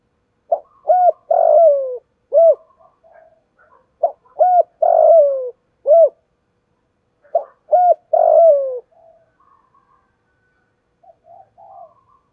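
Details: Spotted dove lure call in the local 'thổ' voice style, played to provoke and train other doves: bursts of short hooked coos and longer falling coos in clusters, a pause, then another cluster, with faint soft notes after.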